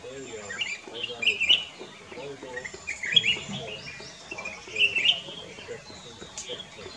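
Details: Black-crested bulbul singing at Kyari Village, Corbett National Park: short warbled, slurred phrases spaced irregularly about every second and a half, with soft background chatter and faint rural noise.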